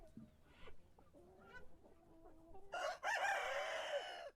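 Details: Several roosters crowing in the morning: soft distant crows and clucks at first, then a louder, rough crow in the final second and a half.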